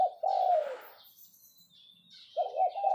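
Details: Spotted dove used as a caged decoy, calling in the 'phao phao' style. One long, low falling coo is followed by quiet, then a new phrase of clipped double coos begins. Soft background bird whistles.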